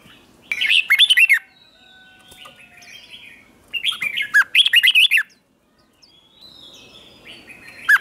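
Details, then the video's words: Red-whiskered bulbul morning song played to train and provoke other bulbuls into competitive singing; two rapid bursts of bright, bubbling, rolling notes, the second longer with about eight syllables, with quiet gaps and faint distant chirps between. "luyện giọng chào mào hót sáng kích bổi hót đấu căng lửa"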